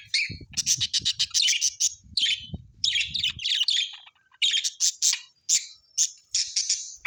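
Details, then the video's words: Australian birds in a busy chorus of rapid high chirps, buzzy trills and squeaky notes packed closely together, with low rumbling noise under the first half. "Australian beautiful birds sounds"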